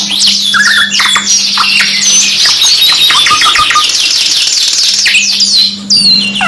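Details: Canary singing a long, dense song of rapid high trills and sweeping whistled notes, with steady rolls and chirps running almost continuously; a low steady hum sounds beneath at times.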